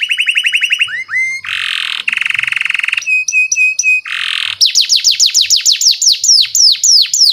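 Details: Canary lure song for training young canaries. Fast ringing trills alternate with loud harsh buzzy rolls and a steady repeated note, then a long series of rapid downward-sweeping whistles.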